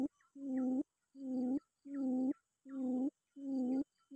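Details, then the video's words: Rival-calling quail: five deep, even hoots, each roughly half a second long, separated by short silences, with a faint higher click before each. "pikat puyuh memangil lawan"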